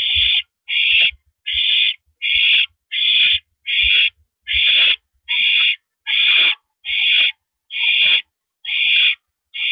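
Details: Owl perched on a porch at 8:17 PM on April 9, 2012, uttering a steady series of twelve or so breathy, hissing screeches, each short and even, spaced a little under a second apart, with soft low knocks.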